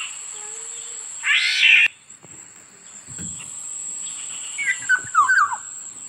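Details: Black-naped oriole giving a brief phrase of mellow, descending whistled notes near the end, preceded by a loud harsh rushing burst and faint low knocks, with a constant high-pitched hiss throughout.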